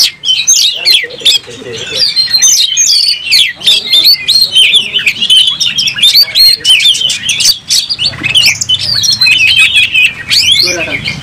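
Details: A vocal oriental magpie-robin fighting with tail fanned and roused, delivering a dense, rapid stream of bright whistles, trills and mimic-like chirps with crisp clicks throughout, barely pausing for eleven seconds.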